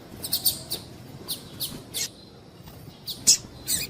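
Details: Female double-collared seedeater calls used to rouse males ahead of singing tournaments; bright, high, clipped chirps, several in quick succession, then a pause and a louder pair near the end.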